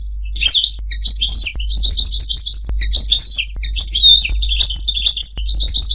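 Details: European goldfinch, song for mating and for teaching goldfinches to sing: repeated twittering phrases of quick, tinkling notes with short pauses, over a steady low hum.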